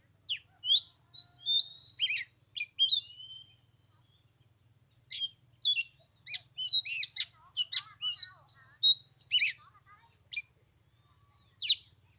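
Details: Oriental magpie-robin singing at 15 degrees on the third day of Tet: bursts of varied whistles, upslurs and sharp clicks, a long silent gap, then a richer run of looping whistled phrases.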